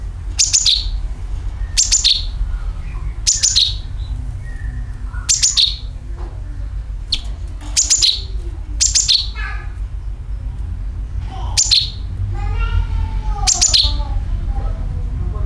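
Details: Used as a bird lure, sooty-headed bulbul calling: crisp, high, descending chirps repeated roughly every one to two seconds, with softer lower warbled notes between them and a low background rumble.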